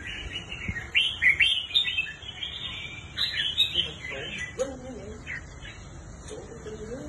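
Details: Red-whiskered bulbul, a kept bird for sale, gives two clusters of rapid liquid whistles and chirps, followed by quieter wavering lower tones, possibly a voice, near the end.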